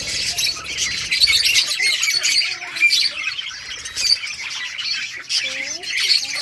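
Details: Budgerigars in bright colours, a colony playing and chirping, August 25, 2023; constant bubbling chatter from many birds, with a few lower whistled slurs toward the end.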